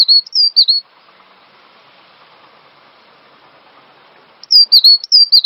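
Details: Cinereous tit master song for training songbirds: a short run of sharp, high whistled phrases, nearly four seconds of quiet hiss, then the same ringing dropping whistles resume.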